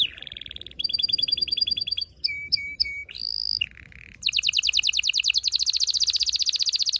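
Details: Loud canary song meant to excite the female and stimulate the male for mating, moving through varied phrases: a falling note, steady high trills, sharp chips, a rising whistle, then a long rapid rolling trill.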